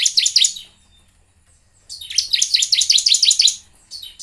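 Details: Bar-winged prinia song played to prompt birds to sing: a short opening burst of high chirps, then after a pause a fast run of bright, buzzy, down-slurred notes repeated about three per second.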